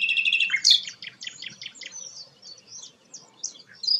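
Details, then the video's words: Flycatcher known locally as sikatan londo, singing energetically; its song is used as tutor song for White-rumped Shamas. High, chattering phrases of squeaky chirps and short whistles open strongly, then thinner scattered notes with brief gaps. "burung sikatan londo gacor"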